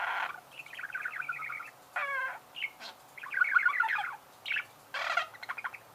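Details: Several budgerigars singing: a busy warbling chatter of rapid buzzy trills, clicks, short rising whistles and scratchy rasps, rising and falling in loudness with short gaps between phrases.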